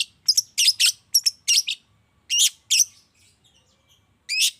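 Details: Morning lure recording of a long-tailed shrike used to spur silent birds: clusters of sharp, high, rasping notes, a gap of near silence, then a single harsh call near the end.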